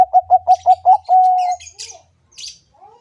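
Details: Bangkok-type zebra dove (perkutut) in full song, used as a master recording to get other perkutut singing: six quick clipped coo notes, then one long steady coo, followed by faint chirps of other birds.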